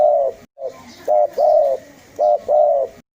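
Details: Spotted dove call for luring: low hollow coos in quick succession, short double notes alternating with longer drawn coos, closely spaced.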